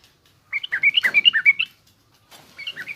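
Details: Yellow-vented bulbul singing in the garuda or rough ngriwik style, played to teach young bulbuls: a quick bubbly run of about ten chirped notes near two to four kilohertz, then a short pause and another softer burst.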